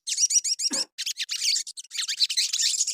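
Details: Crimson sunbird, called sogon, singing as a lure for other birds: a dense, hurried string of very high, sharp chips and twitters, with one short gap near the start.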